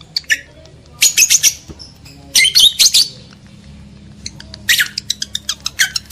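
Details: Lovebirds in breeding mood, sounds used to stir males and bring females into breeding condition: clusters of rapid shrill chirps and rasping squawks, then a run of quick evenly spaced high ticks, low room hum beneath.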